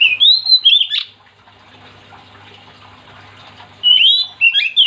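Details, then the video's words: Oriental magpie-robin in full, vigorous song, said to stir other magpie-robins to sing along; loud slurred whistled phrases open and close the clip, separated by a quiet stretch with a faint low hum. "Kacer gacor yang bikin Kacer lain ikut 3m051"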